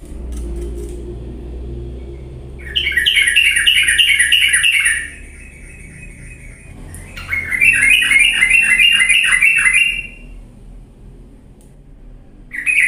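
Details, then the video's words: Bulbul lure song to get lazy yellow-vented bulbuls singing loudly: two long fast chattering trills, each about two seconds long, separated by quieter stretches with a low hum, and a third phrase starting at the end. "pancingan trucuk yang malas jadi ikut bunyi gacor galak"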